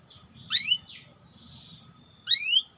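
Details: Two sharp upward-sweeping chirps, nearly two seconds apart, from a white canary recorded as training bait for other canaries, with a thin high whistle between them.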